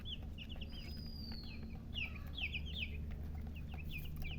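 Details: Domestic chicks cheeping rapidly, about two or three short, high, arched peeps per second, overlapping irregularly, with a low mechanical hum beneath.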